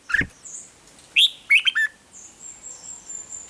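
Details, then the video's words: Red-whiskered bulbul in the 'rik' song style, played to excite caged birds: a sharp tick, then a short run of three quick, chirpy notes, followed by faint high tones. "เสียงนกกรงหัวจุก ร้อง ริก เปิดให้นกฟัง ยั่วให้นกคึกจัด"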